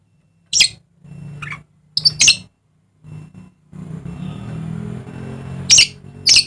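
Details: Dusky lory from Papua, eastern Indonesia, uttering isolated harsh, broadband squawks spaced irregularly, with a few softer chirps between and a low rumbling hum in the background.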